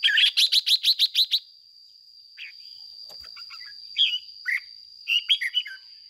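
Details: Captive decoy red-whiskered bulbul singing in the 'ché' style to train and stimulate caged birds. A fast run of about eight sharp chirps, then scattered short warbled phrases, over a steady thin high whine.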